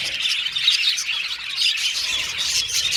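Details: Australian budgerigars kept as pets, a brief burst of rapid high chirps and whistled warbling from several birds at once.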